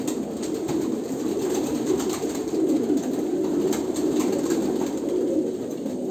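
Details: Many Kolkata pigeons coo at once, a low rolling drone that swells and dips, with occasional sharp clicks on top.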